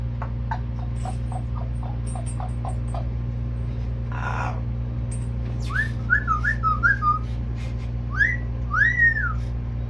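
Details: Yellow-naped amazon parrot, a pet, making noises during random daily activities: soft clicks, then a run of short rising-and-falling whistled notes near the end, over a steady low indoor hum.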